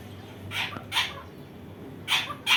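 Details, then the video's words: {'caption': 'Indian ringneck parakeet giving four short, harsh, broadband calls in two pairs, about half a second apart within each pair, over a low steady background hum.'} "Indian ringneck ! mithu mithu"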